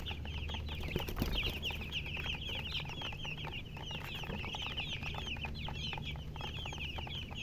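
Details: A crowd of chicken chicks peeping, short high chirps several per second in irregular bursts, with a low droning hum in the background.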